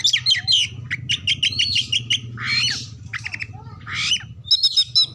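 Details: Oriental magpie-robin lure song to trigger singing and tail-fanning in other birds; quick chip runs, a harsh rasping burst and bright whistles over a constant low hum.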